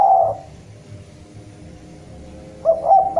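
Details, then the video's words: Derkuku jawa, the spotted dove, calling a rival: the tail of a long low coo fades at the start, a quiet gap follows, then a new phrase begins with short rolling notes leading into a drawn coo. "Derkuku jawa gacor memanggil lawan"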